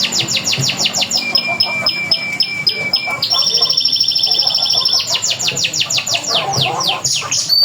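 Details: Prompt song of a local canary, played to get other canaries to answer: quick repeated whistled sweeps, a sustained buzzy two-pitch trill in the middle, then renewed rapid sweeping notes ending in a sharp high note.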